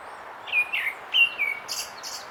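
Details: A grey-backed thrush gives a short song of four whistled notes, each starting higher and sliding down, followed by two high, thin buzzy trills.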